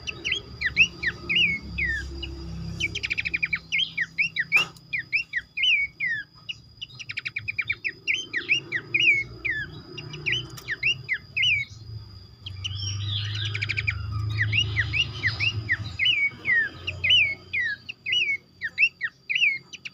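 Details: A babbler (pelanduk semak), recorded as a lure to trigger other birds to sing, gives quick series of short, clear whistled notes, rising and falling, repeated almost continuously.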